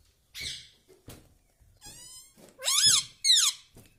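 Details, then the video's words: Indoor pet parrot known for saying mummy, papa and radhe radhe; soft rustles and thumps, then two loud, high, arching nasal syllables near the end. "parrot talking mummy ||papa bolne vala Mithu ||radhe vala Mithu"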